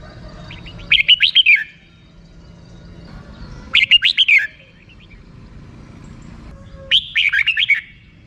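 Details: Three short, lively phrases from a red-whiskered bulbul in 'rik' song style, each a rapid cluster of bubbling whistled notes, about three seconds apart over a low background hum.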